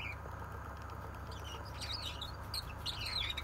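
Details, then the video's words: Gouldian finch song: after a soft opening note, a quick run of high, squeaky and slightly buzzy twittering builds from the middle to the end, backed by a constant low hum. "Gouldian finch singing"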